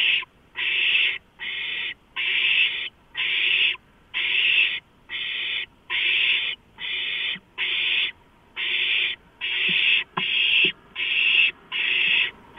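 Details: Owlets at a food delivery of a large rodent, 23 March 2015, keep up a steady run of coarse hissing screeches, about fifteen evenly spaced bursts, with a few soft knocks underneath.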